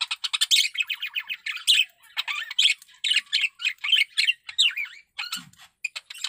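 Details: Male budgerigar in breeding condition delivering a fast, continuous chatter of scratchy squawks, rattles and brief rising whistles, broken by short pauses, with nothing else clearly heard.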